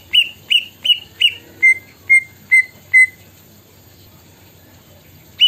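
A greater green leafbird mimicking a plaintive cuckoo: eight clear whistles about every half second, four higher then four lower, stepping down in pitch over a quiet background.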